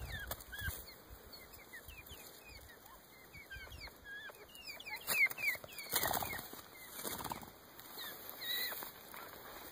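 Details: Montezuma (Mearns) quail chicks in Arizona in 2014 try to flush on new wings, giving thin, high peeps in rapid, uneven succession amid bursts of wingbeats and rustling in the brush.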